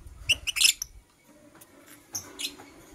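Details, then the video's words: Green and blue masked lovebirds in the morning give sharp, high, harsh chirps in a cluster, then a pause and another short burst of bright chirping over faint low background rumble. "Lovebird Singing and Chirping Sounds - Green & Blue Personata"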